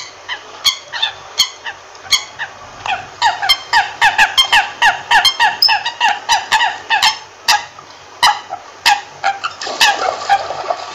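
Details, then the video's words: American coots give short, nasal, honking notes in a rapid irregular series, several per second at times, like a chorus of clucking toots; American coot calls. "American Coot Sound"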